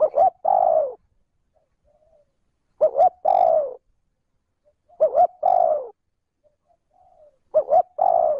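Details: Spotted dove decoy bird cooing in the smooth trơn ròng style, used to stir wild doves to respond: four phrases about every 2.4 seconds, each two short hooting notes and then a long, low, falling coo, with quiet pauses between.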